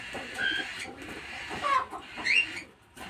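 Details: Baby cockatiel kept as a pet in a breeding setup, giving several short raspy calls with brief tonal, slurred notes, some rising and some falling, spaced irregularly over three seconds against a low background hiss.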